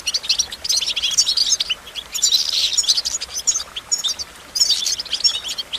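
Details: Goldfinch song of fast, jangling high twitters and trills delivered in long runs with a brief lull near the end, over a steady background hiss.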